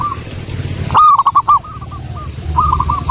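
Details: Local wild-type zebra dove singing loudly and vigorously, recorded as a lure. A close bird gives a burst of stuttering, clipped coos, and softer rolling coo phrases from other doves sound before and after it.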